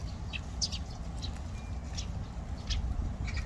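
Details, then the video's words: Short, bright chirps of Eurasian tree sparrows at Olympic Park, scattered irregularly through the recording, several close together, over a constant deep hum of park background noise. "올림픽공원.참새(Eurasian tree sparrow)"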